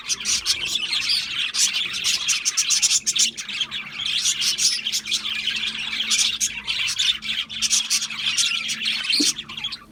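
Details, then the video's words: Budgerigars keep up lively chirping: rapid, scratchy high chatter mixed with squawky notes in steady waves, fading slightly at the end, with a faint low hum beneath. "Natural Parakeet Singing Birds | Parrots Chirping sounds"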